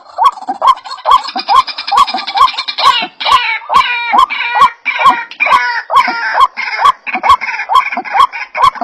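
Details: White-breasted waterhen lure call meant to gather birds: fast repeated upslurred notes, roughly two per second, overlaid midway by a denser harsh chattering layer, with regular sharp clicks throughout.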